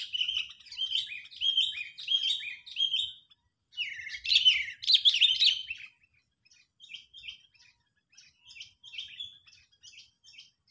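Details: Sooty-headed bulbul, agitated, used as a lure for trapping birds: bursts of harsh, chattering notes with short rising and falling whistles, loud for six seconds, then softer scattered chirps after a pause.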